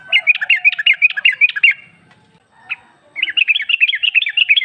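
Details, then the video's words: A female sooty-headed bulbul calls to a male as a lure; bright, evenly repeated bubbling notes rise and fall for under two seconds, one lone note follows, then a second matching rapid run. "Trucuk betina memanggil jantan ampuh buat pancingan agar bunyi jadikan trucukmu gacor nyaut"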